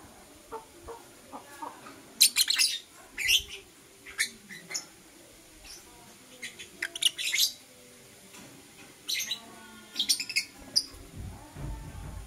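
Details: Lovebirds, Blue Opaline and Parblue Euwing Opaline colour forms, chirping in the morning: scattered sharp, high, buzzy chirps in short bursts, some clustered in quick runs, over a faint steady low hum.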